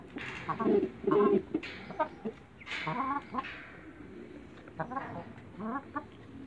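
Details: Muscovy ducklings in a backyard jumping up to eat eggs, giving a busy series of short, thin, peeping and chattering calls in quick bursts, with faint voices of people in the background.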